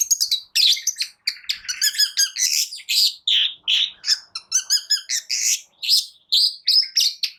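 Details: A long-tailed shrike sings a dense medley of squeaky chirps, harsh squawks and quick twittering notes with no pause, a song used to goad silent shrikes into singing.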